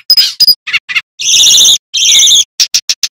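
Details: Male bamboo flycatcher (sikatan bambu) in loud song, used as a master recording for training young magpie robins: squeaky high chirps, then two long buzzy rattling bursts, ending in quick sharp ticks.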